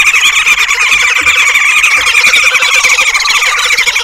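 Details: Red-billed woodhoopoe family group causing a commotion in a suburban garden in Pretoria, South Africa: a loud, harsh, rapid cackling chorus of overlapping calls that runs without a break throughout.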